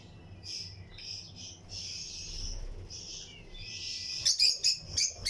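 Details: Aviary colony of lutino lovebirds, pairs breeding in a flight cage, producing a continuous high buzzy chatter that ends in a fast run of loud sharp chirps, other birds singing along.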